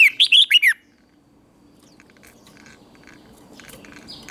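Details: Red-whiskered bulbul competition singing used to train birds: a quick phrase of five rich, slurred whistles, then quiet with scattered faint chirps from other birds.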